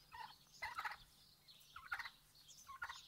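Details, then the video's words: Turkeys outdoors on a farm, giving quick gobbling bursts of rattling, warbling notes, three bursts in about three seconds with quiet gaps between them. "Sound turkeys, outdoors"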